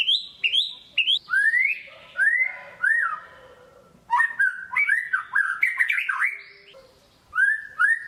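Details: Captive white-rumped shama, song played to spur a lazy bird to sing: a few clipped high whistles, then lower mellow slurred notes, a chattering twisting passage and closing soft paired whistles.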